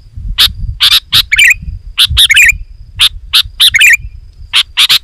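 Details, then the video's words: Loud, rapid calling of a sooty-headed bulbul, meant to provoke wild bulbuls to approach: sharp, scratchy chirps repeated about twice a second over a faint low rumble. "Suara Burung KUTILANG GACOR, Rapat dan Lantang Burung Kutilang Liar Auto Emosi dan Mendekat"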